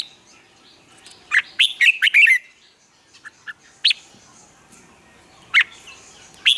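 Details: Red-whiskered bulbul morning song for training captive birds. A rapid cluster of bright chirped notes is followed by scattered single chips and two later short calls over a quiet background.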